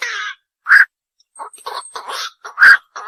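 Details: Night heron calls: a hoarse squawk, then a loud clipped 'kwok', a jumble of softer gravelly notes, and a second loud 'kwok'.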